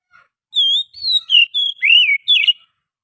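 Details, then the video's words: Oriental magpie-robin from the wild forest, used as a lure. A flowing sequence of six clear whistled notes: sustained, slurred, and falling, some level and some swooping down. "suara pikat burung Kacer asli hutan,suara pancingan kacer"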